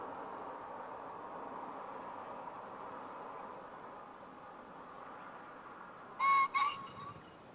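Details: Green pheasant calling in rural farmland at Kamiuda, Hofu, Yamaguchi, Japan, on a spring afternoon, 30 April 2019: after quiet background hiss, two loud, harsh, abrupt notes in quick succession, the second slightly rising, near the end.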